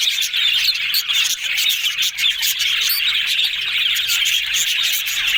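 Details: Dense, lively twittering from happy yellow budgerigars: many high chirps and warbled squeaks overlap continuously, with a brief dip in loudness near the middle before the chatter resumes.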